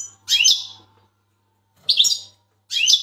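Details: Large Turkish European goldfinch in full training, singing: three short bright twittering bursts with slurred rising and falling notes, separated by pauses of about a second, with a faint low hum behind.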